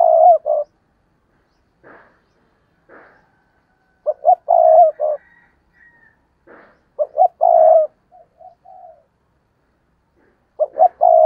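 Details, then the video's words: Spotted dove used as a decoy bird, calling to lure other doves. Its low hoarse cooing phrases repeat several times over about eleven seconds, with soft single coos in between and brief higher notes. "Chim Cu Mồi Cây Thúc Gù Và Gáy Gọi/ Cu gáy kích bổi nhanh nổi gù"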